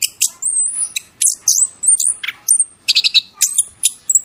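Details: Bird chirping in masteran training fashion, with high thin whistles, quick downward-swooping notes, short rattling bursts and bright repeated chirps following one another rapidly in varied phrases.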